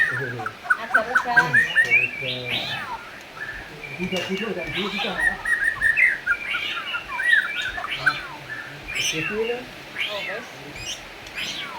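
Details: White-rumped shama, called a black-tailed shama, singing as a lure for other shamas: varied whistled and chattering phrases with quick slurs and clicks, dense and irregular throughout.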